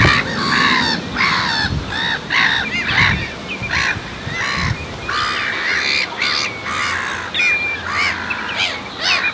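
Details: A flock of Icelandic black-tailed godwits at Marshside reserve, Southport, Lancashire, 19 June 2014, gives harsh, nasal, overlapping calls, about two per second, with a few thin higher whistles over a low background rumble.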